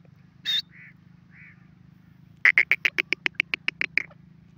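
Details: Grey francolin in the breeding season, calling: one harsh burst and two soft low notes, then a quick run of about twelve loud, clipped notes at roughly four per second, over a steady low hum.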